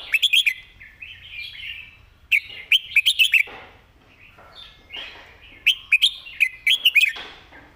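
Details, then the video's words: Red-whiskered bulbul in a cage, known for singing often, giving dense clusters of loud chirpy whistles in quick succession, several phrases close together with softer warbled notes between. "เสียงดี ขยันร้อง"ดาวรุ่งพุ่งแรง#เสียงนกกรงหัวจุก"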